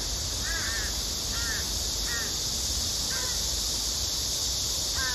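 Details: Crow begging call, a female pleading with her partner for food: five short, hoarse, down-curving caws spaced under a second apart, over a bright constant hiss.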